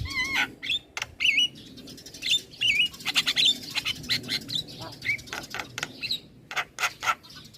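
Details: Young male Javan myna in full, prolific song: harsh broadband clicks and rasps mixed with short upward-bending whistles, delivered in quick uneven bursts.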